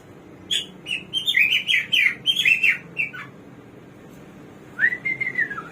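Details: Hwamei, the samyong or garuwa, described as a bird of 1001 voices, delivering a lively phrase of rich, quickly changing whistled notes, then after a short gap a sustained, gently falling whistle.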